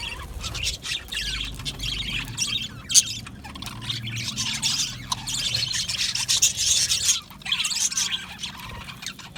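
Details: Budgerigar colony in an aviary, many birds singing and chirping together: dense, scratchy high-pitched warbling and chirps run without pause, with short quiet gaps and a faint low rumble beneath.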